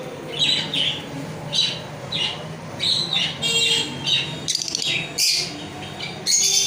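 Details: Lovebird calling repeatedly with shrill, high-pitched squeaks and harsher screeches, coming in quick irregular bursts through the recording over a low hum.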